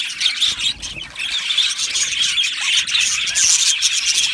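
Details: Budgie parrots kept as a colony in an aviary, a constant high chatter of many birds with thin squeaks and warbled chirps layered over one another throughout.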